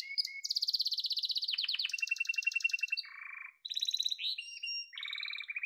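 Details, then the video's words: Song of a yellow domestic canary, a chain of rapid trills at changing pitches, bright buzzy rattles giving way to lower rolled whistles and a short high twittering passage, clean with no background. "Muhteşem Kanarya Sesi: Sarı Kanarya'nın Efsanevi Ötüşü"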